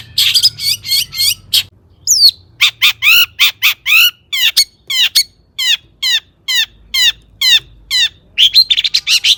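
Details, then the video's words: Vigorous long-tailed shrike song rich in borrowed sounds, played as a lure for other shrikes: a run of scratchy notes, then a long series of clear whistled notes swooping downward, ending in dense harsh chatter. "Kicau cendet gacor FULL MATERI MEWAH,, BUAT PANCINGAN CENDET AGAR BUNYI jadikan BURUNG PENTET GACOR"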